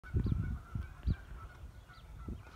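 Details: Canada geese give a few low, rough honks over about two seconds, mixed with thin, rising peeping whistles from blue-winged teals.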